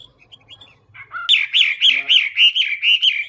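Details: Chinese hwamei starting with soft scattered notes, then bursting into a loud, rhythmic series of looping whistles, about six per second, each note bending up and over like a rolling wave.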